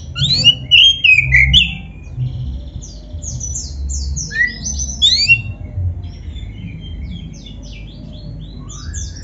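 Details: Oriental magpie-robin of the black-breasted form, singing lively as a training lure for caged birds: loud whistled phrases at first, then softer scattered high chirps and trills over a low rumbling background.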